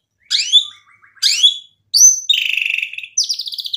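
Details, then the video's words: White-rumped shama singing as a lure for rival birds: two bright descending swoops, a brief quiet twitter, then a loud pulsing buzzy trill ending in a higher burst. "MURAI BATU GACOR bikin EMOSI lawan jadi NYAUT"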